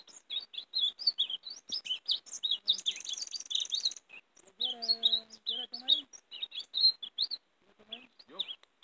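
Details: European greenfinch used to call in and trap greenfinches, pouring out busy chirping twitters; a steady buzzy hiss rises midway, and low tonal hums, possibly a voice, sound briefly near the end.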